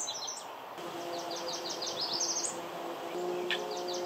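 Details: Yellow Warbler, a migrant at Mount Auburn Cemetery, Cambridge, Massachusetts, sings its typical song: a rapid fire of loud, high, sweet warbles that quickens and climbs at the end, over a low steady hum and faint chirps.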